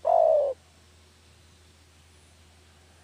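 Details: Spotted dove lure call for catching doves: one loud, slightly falling cooing note lasting half a second, then quiet until a second note begins at the very end; low steady hum underneath.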